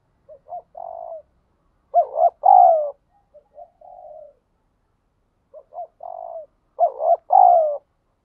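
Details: Spotted dove cooing 'thúc gù' in the wild: soft introductory coos lead into louder two-part phrases of a quavering note and a long mellow coo, the sequence repeating twice with quieter notes in between.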